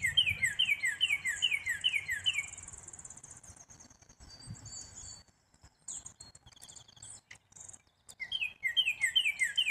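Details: Black-capped chickadee repeating quick, descending notes in a steady run of about two and a half seconds, thin high notes above, then a quieter gap with scattered clicks before another burst of the same downslurred notes.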